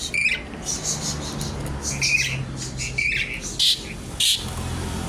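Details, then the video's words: Noisy Javan pied starling singing hard with mimicked notes while seeking an opponent: quick harsh squawks and short whistled chips tumble irregularly, with two louder rasping bursts near the end. "Jalak suren gacor isian ribut mencari lawan"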